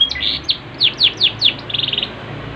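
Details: Singing Yorkshire canary of the posture type, in full voice: separate clear downward-sweeping high chirps about every quarter second, ending in a fast rolling high trill, with faint low room hum beneath.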